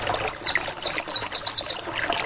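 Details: Wild white-eye (pleci ngalas) lure song meant to provoke rivals into replying: two long high descending whistled slurs, then a quick string of bright, sharply zigzagging chirps, with soft background hiss.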